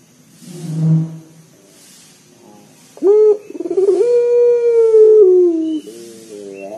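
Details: A soft low murmur and faint hiss give way to a local Barbary dove's loud, deep coo, used to prompt other birds into calling: an abrupt rising note, a quick stutter, then a long steady hoot that slides down into wavering notes.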